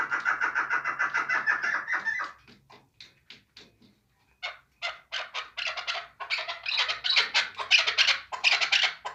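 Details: Hunting chukar partridge calling: a dense run of harsh, rapid chattering notes gives way to a short pause, then loud broadband clucks build into a fast, uneven series.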